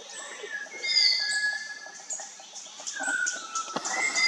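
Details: Malabar whistling thrush (Myophonus horsfieldii) in India gives long, clear whistles, some held level and one sliding downward, over a busy backdrop of thin, high chirps from other birds.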